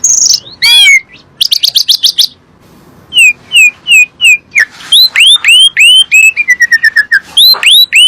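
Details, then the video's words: Asian pied starling song played to get other birds calling: varied whistles, fast trilled chirps and repeated rising hooked notes in a long, busy sequence with a brief quiet gap. "PANCINGAN SUARA BURUNG JALAK SUREN"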